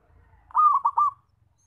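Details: Zebra dove giving a loud call used as a lure for trapping: one short phrase of three quick, rolling cooing notes, with a faint low hum beneath.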